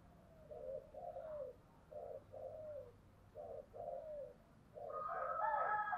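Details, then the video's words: Spotted dove singing in the giọng thổ style, low mellow coos in paired phrases repeated four times, each a short note then a longer slurred one, over steady background hum; a louder, higher rooster-like call enters at the end. "cu gáy giọng thổ"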